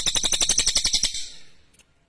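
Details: Clear, sharp song of a lesser green leafbird (cililin): about a second of rapid, buzzy, ringing pulses, roughly five per second, fading out, then one faint high note.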